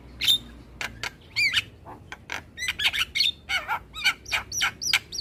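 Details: Asian pied starling singing in a morning model recording for young birds: sharp clicks mixed with whistled upslurs and wavering chirps, delivered in an uneven, chattering flow.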